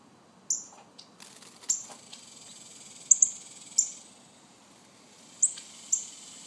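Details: Baby northern cardinals giving thin, very high, sharp chips with short downward tails, about eight spaced irregularly over several seconds, a few doubled in quick pairs, against a soft low background hiss.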